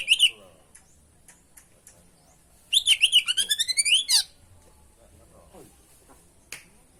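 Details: Oriental magpie-robin (kacer) singing 'gacor' as tutor and lure: a few sharp opening notes, then a rapid series of about twelve rising whistled notes in quick succession, followed by quiet with scattered soft ticks and one sharp note.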